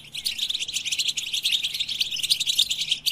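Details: Fast, continuous twittering from a European goldfinch, packed with quick high chirps and liquid trills that run without a break for about three seconds.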